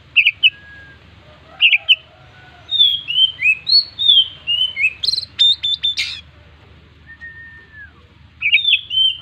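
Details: An Oriental magpie-robin kept as a songbird sings its full varied song: paired bright chirps, a run of slurred whistles rising and falling, a burst of sharp rapid chips, then a single descending whistle and more chirps; low hum faintly.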